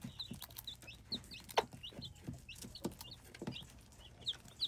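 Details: Hybrid chicken chicks peeping: scattered, high, thin, downslurred peeps from several chicks, mixed with soft knocks and clicks in the background.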